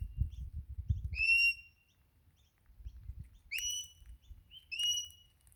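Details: Whistles from a wild Crimson Rosella in Australia, a morning visitor seemingly calling for a little food: one long level whistle, a pause, then two more bright rising-then-flat whistles, with brief low handling noise at the start.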